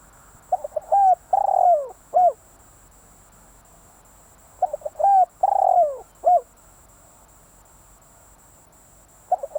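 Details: Decoy spotted dove repeating its cooing phrase about every four seconds: short introductory coos, a long downward-sliding coo and a clipped last note; two full phrases and the start of a third.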